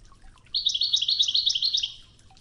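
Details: European goldfinch, Wedani song style, from a tape for training singing birds: a continuous rapid, tinkling, slightly buzzy twittering trill lasting about a second and a half, with faint background water.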